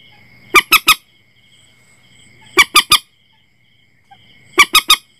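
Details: Common Moorhen voice for night net-setting: three evenly spaced bursts, each of three quick, piercing harmonic notes, about two seconds apart, with a faint continuous hum-like tone behind.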